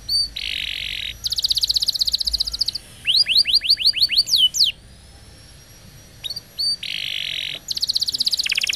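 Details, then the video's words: Canary sings a long varied song of rapid trills, buzzy rolls and a run of sharp rising-falling whistled notes, all high-pitched, with brief pauses between phrases; used as a master song to train young canaries. "Kenari Gacor Panjang !! Masteran Burung Kenari PAUD dan Pancingan Kenari MACET BUNYI"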